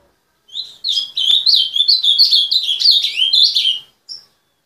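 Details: Ultramarine grosbeak, or azulão, owned by a keeper: a sustained three-second run of fast, varied warbled notes with a click early on, ending with one brief high note.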